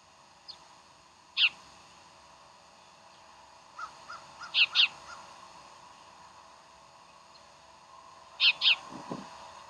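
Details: Decorah bald eagles, 15 January 2012: loud high squealing chirps, mostly in quick doubled pairs, mixed with softer lower staccato notes and a brief low rumble, over a constant electrical hum.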